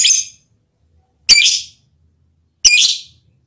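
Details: Lovebird giving a mating call meant to affect its male partner: harsh, high screeching chirps, each about a third of a second long, repeated roughly every one and a third seconds with silence between.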